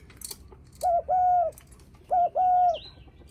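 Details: Spotted dove cooing to greet visitors, two phrases of a short note followed by a long level coo, clear and close, with a faint chirp from another bird at the end.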